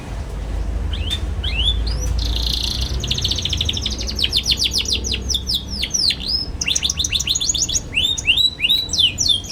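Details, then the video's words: Young canary in energetic twittering song used to teach young canaries: a buzzy trilled opening followed by long fast series of sharp high sweeping chirps, repeated several per second. "KENARI PAUD NGERIWIK GACOR CUIT CUIT BIKIN EMOSI |22| COCOK BUAT PANCINGAN KENARI PAUD BELAJAR BUNYI"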